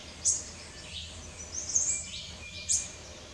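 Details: Rufous-tailed hummingbird (Amazilia tzacatl) calls: very high, thin squeaky chips, three sharp notes about a second apart with softer twitters between, over faint background hiss.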